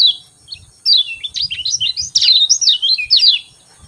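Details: Lively high twittering from a Lemon-bellied white-eye in the morning, one opening chirp then a dense run of swooping, zigzagging notes, light low bumping sounds beneath and a thin constant hum.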